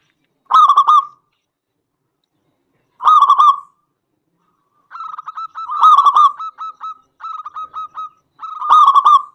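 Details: Local zebra dove song used as a lure to provoke other zebra doves into singing: loud bubbly coos with stuttering rolled notes, bursts at intervals of about two to three seconds, then a longer run of quick repeated trilled phrases.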